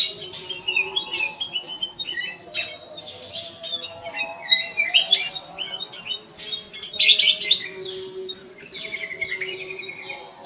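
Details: Black-crested bulbul singing vigorously inside an aviary: dense run of quick chirps, short whistled notes and warbled phrases, loudest near the middle and toward the end, over a steady low hum.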